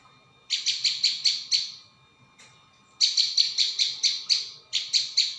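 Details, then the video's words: High, staccato chip series from a prinia used as a lure: a run of six notes, a pause, then a longer burst of quick repeated chips. "Mp3 pikat burung ciang"/ prenjak bawah"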